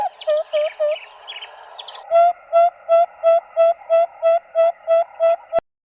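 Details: Acacia pied barbet from southern Africa giving a steady run of nasal, hooting notes, about three a second, overlaid at first by higher chattering notes.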